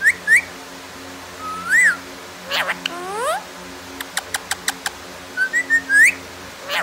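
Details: Pet parrot talking: a mix of clear rising and falling whistles, a quick series of short sharp clicks, and chattering sweeps, with steady low hum underneath.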